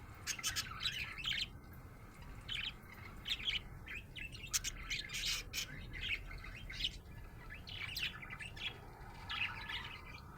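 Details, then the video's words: Happy budgerigar chirping: clusters of quick warbled tweets and squeaky notes come in bursts with short gaps, lively and irregular throughout, over a light low hum. "Happy budgie chirping sound"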